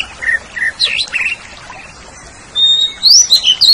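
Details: Greater green leafbird song on a training recording for cage birds. A few short whistled notes and slurs, a brief quiet pause, then loud, high, sweeping whistles delivered in rapid succession.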